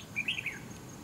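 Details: Red-whiskered bulbul (Pycnonotus jocosus) at a fighting trap, fanning its feathers in display, gives a quick burst of three or four bright, chirpy notes in half a second, over a faint low rumble.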